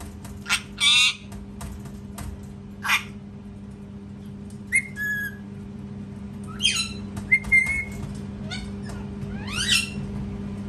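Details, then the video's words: A parrot making mixed sounds: short sharp clicks and squawks, brief rising and falling whistles, and a few harsh notes scattered irregularly over about ten seconds, with a low steady hum behind. "PARROT SCREAMING TOO LOUD | PARROT SCREAMING SOUNDS"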